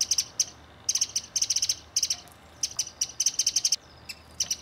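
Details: Mistle thrushes, a family including three young birds, in a garden give harsh, dry rattling calls, each burst a rapid run of clicks, repeated in uneven groups with brief quiet gaps.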